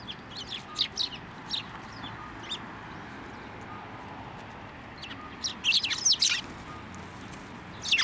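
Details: Sparrows coming onto an outstretched hand for food at a Tenmangu shrine, 15 November 2023; sparse thin high chirps at first, then a louder busy cluster of overlapping tweets near the end.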